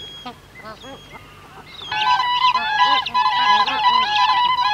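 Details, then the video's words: Adult and young Siberian cranes calling among bar-headed geese: a few soft arched goose honks, then a loud burst of clear, fluting, bugle-like crane notes in a dense overlapping chorus. "Siberian Crane. Calls Of Adults And Young, With Calls Of Bar-Headed Geese In B"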